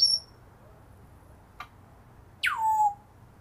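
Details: African grey parrot: a brief high squeak, then a soft click, then a loud slurred whistle that drops steeply from high to a steady lower tone and holds for half a second. A faint background hum is present.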